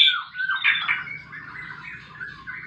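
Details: White-rumped shama fighting song meant to draw song from silent birds: loud scratchy whistle at the start, then softer rambling warbles over a steady low background hum.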